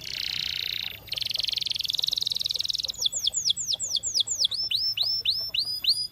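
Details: Song of a trained canary: two high buzzing rolls give way to a slower series of hooked, whistled notes repeated about twice per second.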